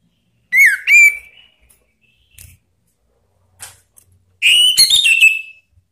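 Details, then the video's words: Orange-headed thrush lure call, meant to prompt other birds to sing ('ngeplong'): two short rising whistles, a pause with faint clicks, then a longer bright run of whistled notes, high-pitched and clear. "Suara Panggilan ANIS MERAH biar ikut berkicau Ngeplong"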